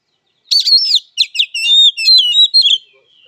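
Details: Kacer fighting song from an oriental magpie-robin: a rapid stream of bright, varied whistles and twisting notes with buzzy overtones, delivered continuously for about two seconds.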